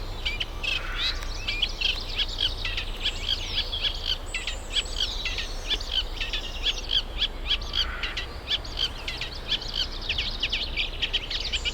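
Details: Eurasian reed warbler, a summer visitor from Africa, singing at Middle Street Meadow nature reserve, UK, as birds pair up and build nests; fast, rhythmic chattering of scratchy, clicking and churring notes repeated without pause, with low background rumble.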